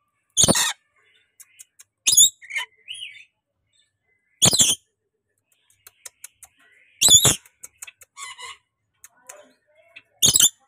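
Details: Tame, chatty pet rainbow lorikeet letting out five loud grating screeches at uneven intervals, separated by soft ticking clicks and brief thin chirps.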